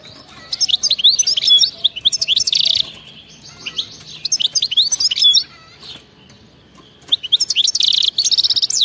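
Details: European goldfinch in wild-style song with frenzied 'betbeta' trilling, used to get non-singing goldfinches going: fast liquid twitters and buzzy rattles in three bursts separated by brief pauses.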